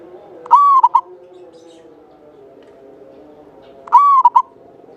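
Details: Two loud clear coo phrases from a local Java zebra dove used to draw out other singers, each a brief rising note flowing into a rolling trill, about three seconds apart, with faint steady background drone.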